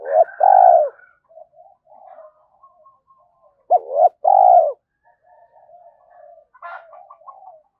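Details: Cooing spotted dove played as a lure so young captive doves learn to coo back. Two phrases about four seconds apart, each a quick hoot followed by a sustained hollow coo, with faint softer murmurs between them.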